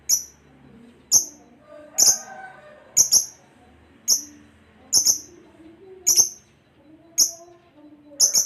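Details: Lovebird kept for training pet birds, giving sharp, very high chips spaced about a second apart, with faint low murmurs in between.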